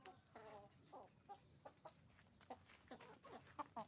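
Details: Roosters and hens on a chicken farm making noise: a busy mix of short clucks and squawks, some with stacked harmonics, overlapping at irregular intervals.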